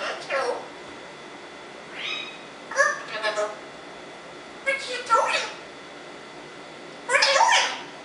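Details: African grey parrot, a Congo grey kept as a pet, talking: four short speech-like bursts about two seconds apart, rich harmonic syllables with falling and rising slurs, in a quiet indoor room.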